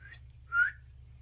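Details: Indoor female cockatiel on a picture-frame perch making soft attention-seeking sounds: a faint chirp, then one clear rising whistled note, with low electrical hum behind.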